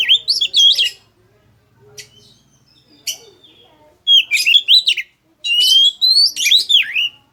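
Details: Oriental magpie-robin song, used as a lure for other birds: loud, sweet whistled phrases with sliding notes and sharp clicks, broken by a pause, then rich rising and falling warbles.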